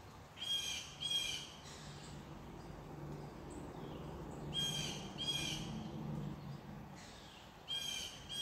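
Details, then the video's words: Crow calling in an unedited outdoor recording: harsh, raspy caws delivered in close pairs, three pairs spread across the stretch, over a steady low hum and faint background noise. "Crow Unedited.Wav Sound Effect"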